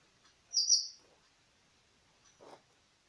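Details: Siberian thrush lure recording, used to get newly caught birds to answer: one thin, high whistled note of about half a second, then a faint, softer rasp; otherwise quiet.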